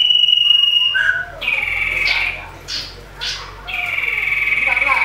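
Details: Agitated common iora in fighting mode, meant to provoke other birds, sings steady high whistled tones, then quick rising slurred notes and a final long level whistle, over low hum.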